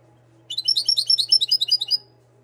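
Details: Moroccan goldfinch bred in 2022 singing a rapid, high twittering phrase of about one and a half seconds, with bright, tinkling notes packed closely together over a steady low electrical hum.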